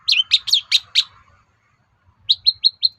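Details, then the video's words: Long-tailed shrike singing to make other shrikes respond: five loud sharp downslurred notes in quick succession, a pause, then four softer evenly spaced high chips. "SUARA PANCINGAN BURUNG CENDET AGAR MAU NYAUT GACOR"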